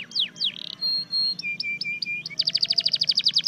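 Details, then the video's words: A red factor canary sings powerfully and loudly: quick downward sweeps and clear held whistles, then a low buzzy phrase, ending in a rapid, bright trill of repeated notes. "Powerful Red factor canary singing"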